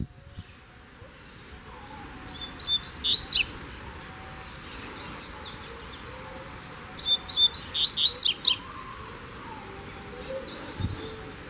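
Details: Kept Double-collared seedeater out on a walk, not in its cage: two bright, high-pitched twittering phrases about four seconds apart, each a quick string of clipped notes rising in intensity, over a faint constant hum.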